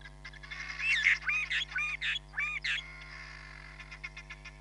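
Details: Hamerkop filmed at Nkorho Bush Lodge on 31 July 2021 via live camera: a run of about six strident nasal yelps, squeaky and slurred, then softer quick clicking notes trailing off, with constant background hum.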